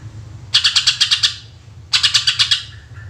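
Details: Greater green leafbird song used to lure other birds: two bursts of rapid, harsh repeated notes, about eight pulses each, separated by a short pause, over a steady low hum.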